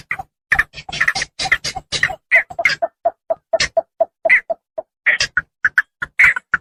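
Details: Harsh squawks from Javan pond herons, used as a lure to attract birds, give way to a steady run of short, lower clucking notes and then return as quicker raspy calls.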